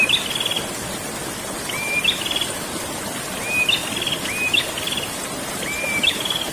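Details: Ngerol song of a prenjak, a prinia: five phrases, each a clear whistle climbing into a high trill, repeated every one to two seconds over steady rushing background noise.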